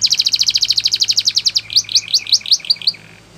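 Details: Belgian canary singing a training song: a fast, even trill of high repeated notes, then a run of slower, sharply slurred downward notes that fades out at the end.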